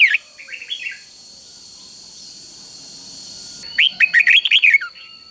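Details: Red-whiskered bulbul giving a common three-syllable doubled song used for teaching young birds: a faint warbled phrase at the start, a steady high hum, then a loud run of bright, bouncing whistled notes.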